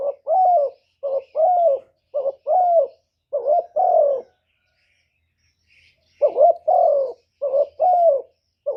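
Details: Lure spotted dove, used to stir wild doves into cooing, gives quick runs of double coos, short then longer and descending, in two bursts split by a few seconds of silence.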